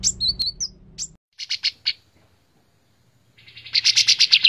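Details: White-shouldered triller song, a master recording for training other songbirds: clear whistled notes and a brief slurred phrase, then a pause and short chirps. It ends with a rapid run of sharp repeated notes, with faint low hum at the start.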